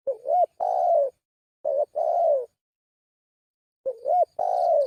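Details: Spotted dove giving a lure call: quick coo phrases, each with short wavering opening notes and a drawn-out, soft falling coo, three phrases in close succession with brief gaps and no other sounds.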